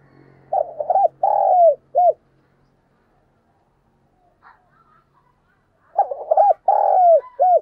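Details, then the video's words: Decoy spotted dove (cu gáy) calling to lure other doves: two matching phrases of stuttered short coos, a long drawn coo sliding down, and a clipped final note, with a low hum early on. "tiếng cu gáy - Chim Cu Mồi Thúc Và Gáy Gọi"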